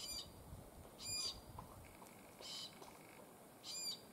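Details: Glossy black cockatoo (Calyptorhynchus lathami) giving four harsh, grating squawks about a second apart, each brief and broad with a layered, buzzy tone, over a quiet rural background hum.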